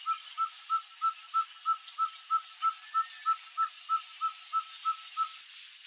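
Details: Singing caburé, the ferruginous pygmy owl of Brazil: a long, evenly spaced run of about eighteen soft whistled hoots on one pitch, roughly three each second, with steady insect buzzing behind.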